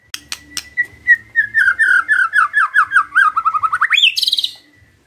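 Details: White-rumped shama in lure recording meant to prompt other shamas to sing: two sharp clicks, then a long run of clear whistled notes stepping downward, finishing in a quick rising, buzzy flourish.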